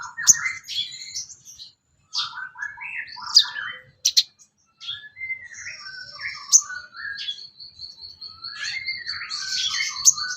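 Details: Sooty-headed bulbul song used as training material for songbirds: short bursts of varied chirps and slurred whistled notes, some rising, broken by brief pauses, with a faint high thin tone running through the later part.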